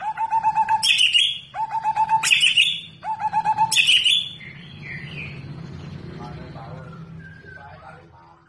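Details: Contest-ready white-rumped shama, a spirited fighter, sings three strong phrases, each a quick rattle of lower whistles and a bright high flourish. Softer, varied warbling notes follow and fade away.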